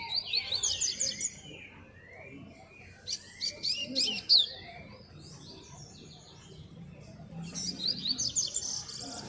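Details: Coleiro singing a lot on a street outdoors, puxada style: quick rows of high chipped and slurred notes opening, then sharp ringing descending strokes midway, and another rapid twittering run at the close, with faint low voices and street noise beneath.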